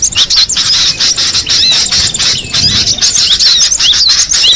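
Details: High, squeaky twittering from a wild cinereous tit: quick slurred chirps tumbling one after another, thickest toward the end, against a hissing natural background.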